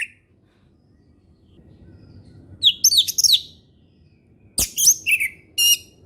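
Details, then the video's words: An orange-headed thrush sings in the ngeplong style, used as a lure for learning birds: long quiet stretch with low rumbling background, then two short bursts of high, sharp twittering whistles separated by a click. "SUARA HUTAN ANIS MERAH NGEPLONG SANTAI"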